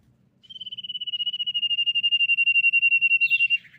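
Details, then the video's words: Common iora, described as female and used to lure other ioras into song. It gives an unbroken high pulsed whistle lasting about three seconds, growing louder, with a slight upward flick at the end. "SIRTU GACOR MEMANCING LAWAN BUNYI 100% BIKIN SIRTU MANAPUN IKUT BUNYI"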